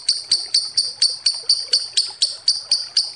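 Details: Lovebird lure sound of short, bright, high chirps repeated about four times a second in an even series.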